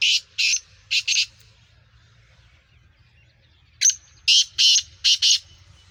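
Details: Nasal-voice Sindhi kala teetar, a caged black francolin of Gangas Sheedi cross stock, delivers two rasping phrases a few seconds apart, each a rapid run of four or five harsh, scratchy notes. Quiet background between phrases.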